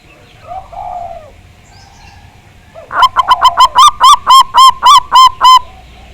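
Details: Local Javanese zebra dove used as a lure to prompt singing. A soft low coo leads into a rising, quickening string of about twelve evenly spaced, ringing notes, some with a slight upward flick.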